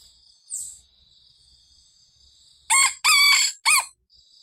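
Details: Domestic rooster giving a vigorous morning crow aimed at wild junglefowl: after near silence with a thin high background tone, three strong, bright crowing syllables follow, the middle one longest.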